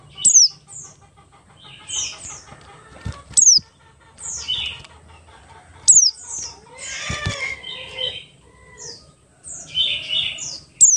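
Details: Oriental white-eye, Buxtoni type, in ngalas song used as a lure to make white-eyes sing fast: piercing falling whistles repeated irregularly, interspersed with chattering high phrases and a burst of rustling noise midway.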